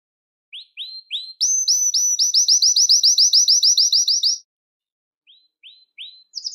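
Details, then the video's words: Belgian canary song for calling canaries: a few upslurred notes, then a steady rapid trill of bright repeated notes, a pause, and soft rising notes resuming. "CANTO PARA ATRAIR E CHAMAR O CANÁRIO BELGA"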